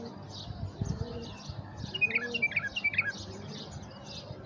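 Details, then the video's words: A tame bulbul's calls, used as a lure to stir passing wild bulbuls: a quick run of four bright, clipped chirps over faint chattering from other birds and a low background rumble. "نداهات بلبول مطوع لتحريك الخامات القافلات"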